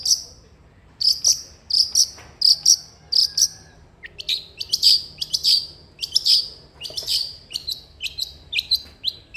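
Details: Long-tailed shrike in lively song, used to coax a reluctant shrike into singing: bursts of sharp, high, clicking pulses in short groups, then varied chirps and descending notes in quicker succession.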